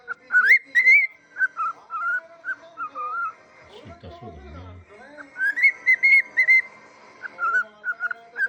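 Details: Cockatiel with an injured left foot whistling while balanced on one leg; lively rising and falling whistled phrases in rapid bursts, broken by a short low rumbling noise midway.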